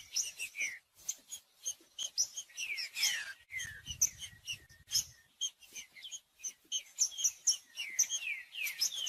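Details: Green-winged saltator singing to warm up a cold bird, a bird of the kind breeders enter in song tournaments: rapid run of sharp whistled notes and descending slurred phrases, nearly continuous, with a brief low thump in the middle.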